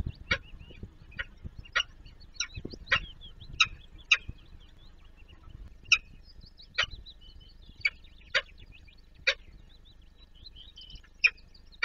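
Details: Peregrine falcon nest on Warsaw's Palace of Culture and Science, Poland, where the male feeds the young. Sharp, grating calls are repeated irregularly, roughly every half second to second, above a steady stream of thin, quavering high-pitched chirping.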